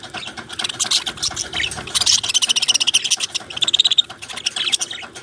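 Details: Budgerigars from Australia in continuous chattering: rapid streams of high clicks, trills and warbled notes from several birds at once, pulsing steadily and swelling louder in the middle.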